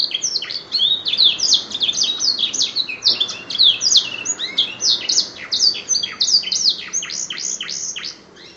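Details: Prize-winning canary filled with black-throat song, singing a long, loud, unbroken cascade of high whistles, rapid downslurred notes and chattering trills packed several per second, fading slightly at the end.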